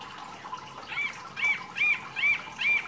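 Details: Mini wambi singing actively as masteran material: five soft arched whistled notes repeated about every half second over a steady background hiss.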